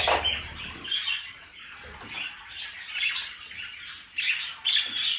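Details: Several budgerigars calling together: harsh squawks and squeaky chirps in quick overlapping bursts, with thin whistled notes, continuous busy chatter across the clip and a low thump at the start.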